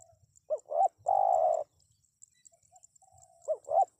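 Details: Spotted dove calling twice. Two short rising-falling notes lead into a long, burry, level coo, and the pattern starts again at the end. Faint high ticking is heard throughout.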